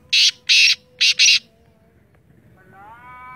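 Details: Black francolin (Sindhi teetar) uttering one loud phrase of four harsh, grating notes, followed by a rising tonal whine in the background.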